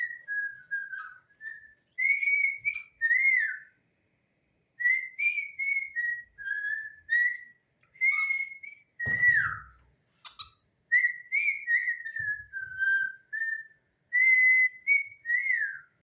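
A cockatiel whistles a song of clear, tuneful phrases that rise and dip, broken by short pauses.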